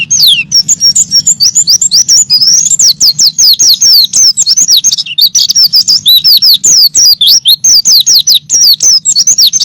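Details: White-eye song played to train songbirds, a continuous torrent of shrill, quick downward-sliding whistles and twittering notes, very dense and hurried, pausing only briefly midway.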